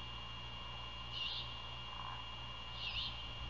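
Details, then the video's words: Great horned owl at its nest near Savannah, Georgia, at 1:38 AM on 27 February 2022, during a prey handover and night feeding. Two hoarse, breathy screeches sound about one and a half seconds apart over a constant background hum. "Great Horned Owl~Prey handover outside! Feeding in the night"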